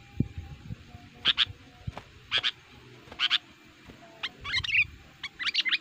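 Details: Sooty-headed bulbul lure recording, meant for attracting wild male bulbuls in forest, with agitated, active calling. It gives short, bubbly whistled phrases about once a second, ending in a faster run of rich notes, with low thumps and handling noise underneath.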